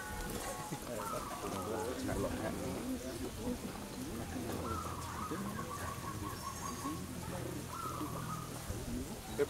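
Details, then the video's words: A local zebra dove (perkutut) at a dove-cooing contest in Windusari, Magelang, Central Java, Indonesia, gives soft, rapid, rippling coo phrases about a second long, several times, over a steady murmur of people talking. "Lomba Perkutut Lokal Alam Gacor am Manggung Gayer"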